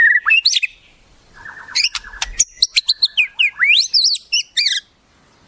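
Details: Mimicry-laden shama song: quick varied whistles, a low stuttering rattle, then a burst of sharp, sweeping high notes and squeaky chatter in rapid succession.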